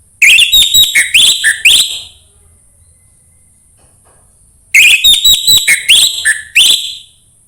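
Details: Orange-headed thrush song, played to coax a reluctant orange-headed thrush into singing: two loud bursts of rapid, sharp whistled notes, about seven quick notes in under two seconds, repeated after a quiet pause of roughly three seconds, with a faint steady high hiss.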